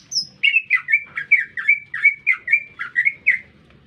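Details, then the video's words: A green leafbird in a city centre gives one high whistle, then a rhythmic series of about a dozen bubbling, slurred chirps, evenly spaced and quick, against a quiet low hum. "Cicak Ijo Gacor"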